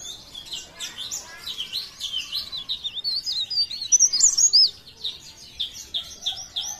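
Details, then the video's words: Leaf warbler (cikrak daun), Pare Pare, singing a continuous blereng song: dense, high-pitched chattering and fast twittering that runs almost without pause, peaking in the middle. "CIKRAK DAUN | PARE PARE | BLERENG GACOR"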